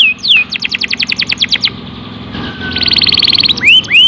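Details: Canary song used as a lure to provoke other canaries to sing: a quick series of sharp, high descending notes, then a dense, buzzy rattling trill, ending in bright rising whistled slurs, with a faint low hum underneath.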